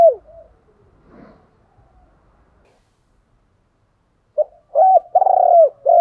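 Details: Spotted dove decoy voice for stimulating trainee birds: near silence and faint notes at first, then a loud phrase near the end, a short note followed by hollow low coos, the longest one trembling slightly.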